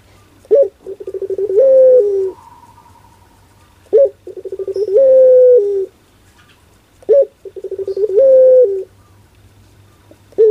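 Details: Barbary dove singing in pelung style: three full phrases about three seconds apart. Each phrase has a quick upturned note, a rattling stutter of pulses, and a drawn-out coo that falls at the end.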